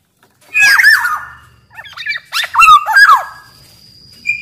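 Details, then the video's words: Kepodang (Black-naped oriole) singing for use as lure and master song: a slurred whistled phrase, a pause, then several loud swooping liquid notes in a rush. A thin steady tone follows. "Burung kepodang gacor SUARA cocok buat PANCINGAN MASTERAN SUARA PIKAT TERAPI podang agar cepat gacor"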